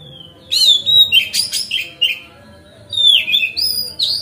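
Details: Oriental magpie-robin singing steadily in a relaxed, continuous style, used as a lure to make other magpie-robins spread their tails; bursts of clear whistles and sweeping slurred notes, some buzzy, in phrases separated by short pauses.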